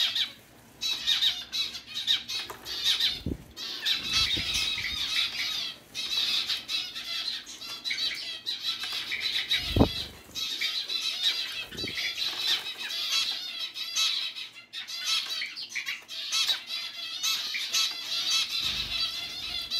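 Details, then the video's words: Pet zebra finches, one getting wet while sliding under a flower, keep up a busy stream of short nasal honking calls, overlapping and continuous, with occasional low thumps and splashing sounds between them. "Wet zebra Finch"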